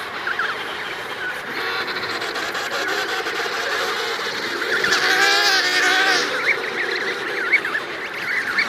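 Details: Emperor penguins, an adult pair with their chick, in the Davis Sea. A trumpeting, harmonic call rises and wavers for about two seconds over a dense, constant chorus of other calling penguins.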